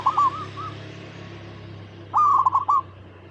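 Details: Local zebra dove song meant to draw other zebra doves into answering; two short bursts of choppy, stuttered cooing notes separated by a quiet gap with a low background hum.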